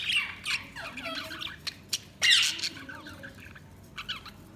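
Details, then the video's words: Budgerigars chirping and chattering: dense, rapid scratchy squawks, short whistled notes and buzzy warbles overlapping throughout, loudest bursts near the start and just past halfway, fading to softer twitters at the close. "Budgies Sounds| Budgies Chirping sound"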